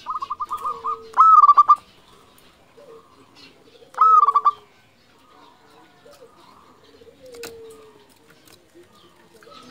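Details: Local zebra dove, a keen singer, giving short staccato coos followed by two loud rolling trills of mellow notes about three seconds apart, with faint lower coos from other doves between.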